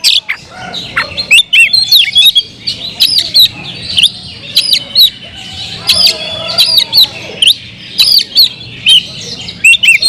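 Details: Continuous varied singing from a kept Oriental magpie-robin: sweet slurred whistles mixed with harsh rasping clicks and chatter, phrases tumbling together with barely any gaps.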